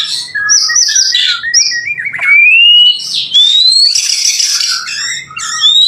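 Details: Singing white-rumped shama used to lure other shamas into answering: jumbled high chattering notes, long thin rising whistles, then a dense harsh buzz and a final rising whistle.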